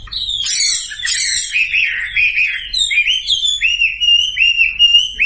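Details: Sumatran leafbird song played as a lure to get silent birds singing: a continuous, rich warbling of slurred whistles and chattering notes, with downward-curving phrases repeated in quick succession throughout.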